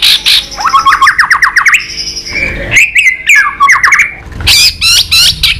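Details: Fighting song from a White-rumped shama, flicking its tail to provoke a rival. It mixes fast stuttering trills, a long steady whistle and sharp high notes, with a faint thump partway through.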